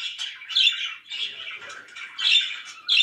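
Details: Loud pet budgerigar giving harsh, grating squawks and buzzy warbles, roughly one and a half per second, with sudden strong bursts separated by softer chatter.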